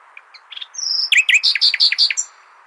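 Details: Common nightingale song used to teach goldfinches: a few soft notes, a long high whistle, then a fast series of loud rhythmic repeated notes, about nine in under a second, ending abruptly; faint steady hiss underneath.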